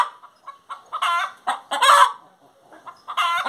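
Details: Hen voicing short clucks that build into loud, broad harmonic calls, then pause and resume.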